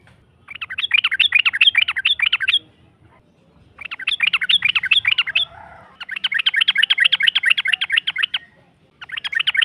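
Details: Yellow-vented bulbul lure song to provoke a rival: repeated rapid chattering bursts of buzzy whistled notes, each about two seconds long, separated by short pauses, faint low background noise.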